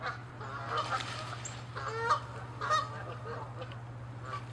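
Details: Canada geese in an angry territorial clash; three or four moderate honks spread across a few seconds, partly masked by broadband noise and a low continuous hum.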